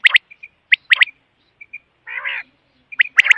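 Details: Quail calling: short sharp chirps in quick pairs, faint higher peeps between them, and one harsher rasping burst in the middle, with no other sounds.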